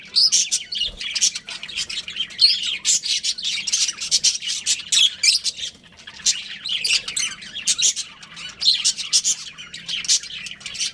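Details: A breeding pair of budgies keeps up a continuous stream of bright, high chirps and squeaky twitters, lively and overlapping throughout, with a faint low hum underneath.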